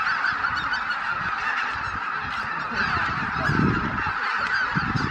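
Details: Massed greater white-fronted geese lifting off from their night roost at Miyajimanuma, Japan, early on 23 April 2017, over 83,000 birds in gloomy weather, Canon PowerShot SX710HS: thick chorus of yelping, honking calls swelling slightly midway, with a low rumbling undertone.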